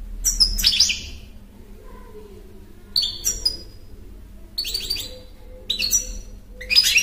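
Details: Goldfinch song in short, jangling bursts of rapid high twittering notes, liquid and slightly metallic, repeated irregularly every one to two seconds across the stretch, with a quiet low hum underneath.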